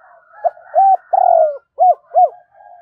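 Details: A caged decoy spotted dove cooing to lure wild doves. It gives a quick run of mid-pitched coos: one long steady note among several short arched notes, with a soft hum underneath.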